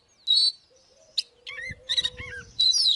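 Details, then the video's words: Oriental magpie-robin in fighting song, heard as short loud whistled bursts, a thin low steady whistle, and a few stuttering notes with some faint low rumbling. "Chòe than mồi Kích BỔI ĐẤU || Choè than HÓT - ĐẤU"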